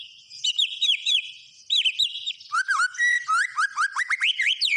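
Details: Energetic white-rumped shama song of rapid whistled slurs, sweeping notes, and a fast series of repeated rising whistles, about four notes a second, with a high buzzy overlay.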